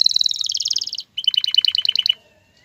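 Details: Male canary singing to prepare a female for mating and nest building: a high dense trill lasting a second, a brief pause, then a lower pulsed rattle of about a dozen beats.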